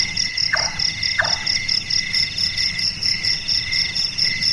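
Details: Nocturnal large-tailed nightjar, locally burung malas or burung tukang, whose call resembles carpentry. Two hollow knocking notes come in quick succession early on, then only a steady, shrill insect drone remains.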